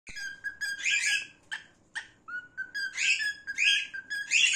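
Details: A male gray cockatiel sings, mixing steady mid-pitched whistles with bursts of harsh, buzzy chatter every second or so.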